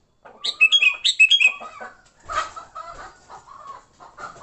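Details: Sooty-headed bulbul giving fighting song to lure bulbuls: rapid bubbly chirped phrases at the start, then a jumble of rougher lower calls and noise, possibly several birds.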